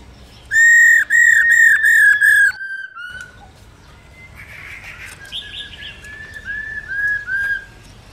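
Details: A female Black-throated laughingthrush calls continuously, stimulating males: loud, clear whistled notes repeated quickly in a two-second burst, then softer mellow whistles and a few higher notes.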